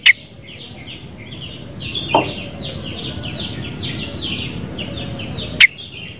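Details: Sooty-headed bulbul giving a continuous stream of short, bright chirping notes, many dropping slightly in pitch, overlapping as if from several birds, with a few sharp clicks near the start and end.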